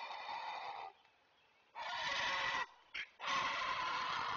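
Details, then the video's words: Great blue heron parent at a nest watched by a Chesapeake live camera, calling to keep others away: loud, coarse, grating squawks in two long bursts broken by a brief clipped croak. "Great Blue Heron Parent to Stay Away"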